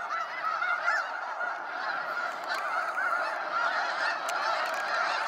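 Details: Flocks of snow geese streaming out at sunset from Sacramento National Wildlife Refuge, a constant overlapping clamour of honks, some clear rising yelps on top, plus occasional sharp clicks.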